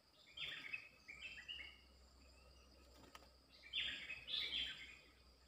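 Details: Wild bulbul answering a lure: two groups of fainter, warbled phrases with rapid rising and falling notes. They are heard over steady insect-like hiss and outdoor background noise.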